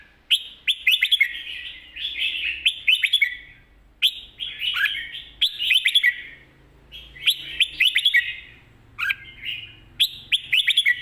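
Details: Energetic mae bot song from a red-whiskered bulbul, tight clusters of bubbly whistled notes repeated every second or two in a steady rhythm.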